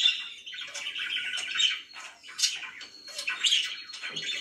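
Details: Pet budgerigar chirping in separate rough, buzzy bursts of warbled notes, with a few sharp squeaks between short pauses.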